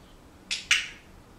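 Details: Pet Senegal parrot indoors giving two quick, harsh, noisy squawks close together, each under a quarter second, in a quiet room.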